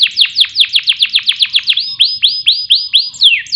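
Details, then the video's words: Canary singing as a lure for songbirds: a steady series of falling whistled notes, about five per second, changes to slower arched whistles near the end. "Pancingan Kenari Agar Gacor Siang Malam, Cocok Untuk Masteran Burung Lomba"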